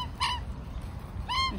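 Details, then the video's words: Magpies from a big flock of several families, gathered around an old man feeding them, give two clear, harmonic, yodel-like notes about a second apart over steady outdoor rumble. "Magpie Army Serenades Old Man"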